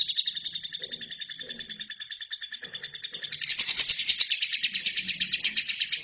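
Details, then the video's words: Chatty gacor lovebird singing for tutoring other birds: a steady, shrill pulsed trill that bursts louder and fuller in the middle before settling back to an even, rapid chatter. "LOVERBIRD GACOR!!!"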